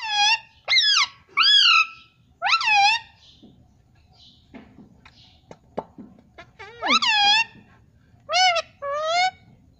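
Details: Pet Indian ringneck parrot kept at home: loud harsh screeching calls in short bursts, several in the first three seconds and more near the end, with quiet clicks and faint room noise between.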